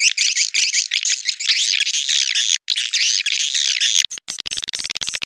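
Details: Clop tanjung lure sound for drawing edible-nest swiftlets into nesting houses: continuous shrill twittering chatter with curling high notes, a short break, then quick clipped chirps toward the end.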